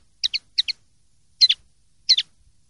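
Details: Common linnet in the silvestrismo 'limpio' song style, with four quick double chirps, bright and high, the later pairs slightly fuller and more buzzy, against a clean, quiet background.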